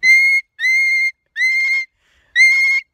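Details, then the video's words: Umbrella cockatoo, a rescued pet male, screaming outdoors while celebrating nature: four loud, piercing, flat shrieks with rich harmonics, each about half a second long, separated by short gaps. "Cockatoo celebrates nature, while piercing his mama's ear drums"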